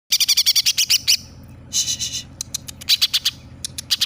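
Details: Greater green leafbird singing hard, mimicking a sparrow and a 'tengkek buto': fast runs of sharp, bright chirps about six per second, a pause, then slurred notes and scattered clipped chips.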